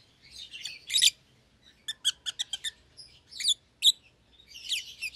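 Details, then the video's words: Two young caged lovebirds, a red-eyed albino and a euwing green opaline that feed each other; a harsh burst, then a fast row of five short, clipped high chirps, followed by scattered squeaky notes. "Lovebird Chirping Sounds"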